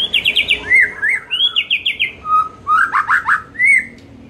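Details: White-rumped shama singing in the afternoon, a lure recording meant to make shamas sing more. Rapid buzzy trills and slurred whistles alternate in lively, varied phrases, with short pauses between bursts.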